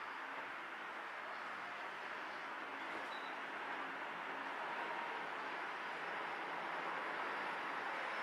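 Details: Even broadband hiss of distant traffic or trains, without any crow calls or other animal voices.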